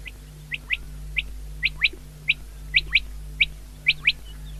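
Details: Common quail calling, recorded 19-2-2024: short, sharp high chirps given singly and in quick pairs, about a dozen notes over under five seconds at an uneven rhythm, over a steady low hum.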